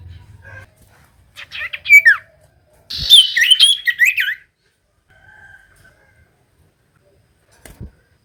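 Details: Common iora song played to goad reluctant birds: slurred whistles followed by a loud scratchy jumble of chirps, then quiet with faint taps.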